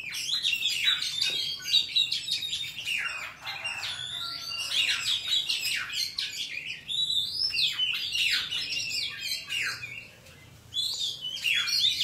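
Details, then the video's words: Oriental magpie-robin in wild forest song for training juvenile birds: long, varied sequence of whistles, trills and sweeping slurs, with a short silent pause near the end before singing resumes. "Chòe than hót giọng rừng cực phê | File đi bẫy ép giọng chim non"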